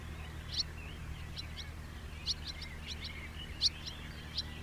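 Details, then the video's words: House martin: scattered bursts of short, high chirps, some quick doubles and triples, a few notes standing out louder, with a steady low hum in the background. "SOUND OF A HOUSE MARTIN 🔊 What does a house martin sound"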